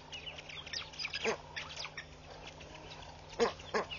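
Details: Hundreds of red-billed queleas flutter around a bush at Pete's Pond, Mashatu Game Reserve, Botswana, on August 9, 2013, chattering as a flock with short, scratchy chirps overlapping irregularly, several each second, over a low, steady hum.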